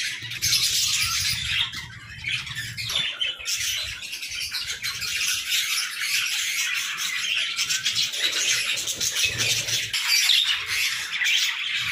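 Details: Playful budgerigars in an aviary keep up a dense, continuous chatter of high, scratchy warbles and chirps with many overlapping voices and steady loudness throughout, plus a faint low hum underneath.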